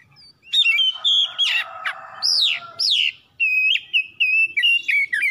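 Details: Oriental magpie-robin singing a lure song to spur other birds to sing: sweet sustained whistles, arched rising-then-falling slurs and a buzzy rasping passage, followed by quick bright whistled notes.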